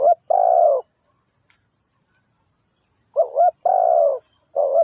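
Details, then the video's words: Decoy spotted dove used to lure birds into traps, cooing in two phrases. Each is a brisk doubled note and then a longer, slightly falling hoarse coo, with a silent pause of about two seconds between them. "The Sound Of Spotted Dove"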